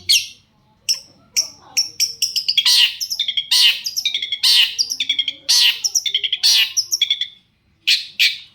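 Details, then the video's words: Shrike song played to coax other shrikes to call back: vigorous rapid chattering and sharp clicks, with loud harsh bursts repeated through the phrase. "cendet gacor pancingan burung cendet agar cendet bunyi INI AMPUH BIKIN burung cendet lain NYAUT"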